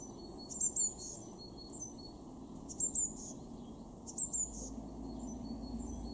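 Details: Garden Eurasian blue tit calling in Weener, East Frisia, Germany, February 2023: three pairs of sharp, very high, thin notes repeated roughly every 1.7 seconds, with fainter high notes between and a steady low background hum.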